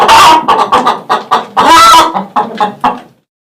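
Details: Chicken giving a series of loud, harsh clucks, about eight in three seconds, with one longer drawn-out squawk in the middle.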